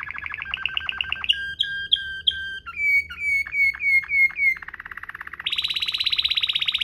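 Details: Rolling tutor song of a canary in Waterslager style: a quick trill, paired clear notes, a run of downward-slurred whistles, a soft low roll, then a bright high rapid roll of evenly repeated notes.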